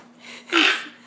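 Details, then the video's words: A pet Toco toucan indoors gives one harsh, hoarse croaking alarm call, a brief rasping burst, on seeing something concerning out the window, possibly a kite, in a quiet room with a faint low hum. "Toucan Croaking"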